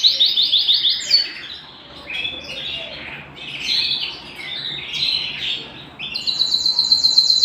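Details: Indoor canary song: opens with a fast, evenly repeated chattering trill, moves into mixed warbles and chirps, then ends with another rapid high rattle.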